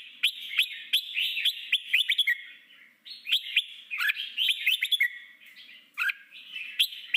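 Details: Red-whiskered bulbul wild-style training song meant to prepare newly caught birds for competitive singing; lively chattering phrases of quick sharp chirps and slurred whistles, separated by short gaps of about a second.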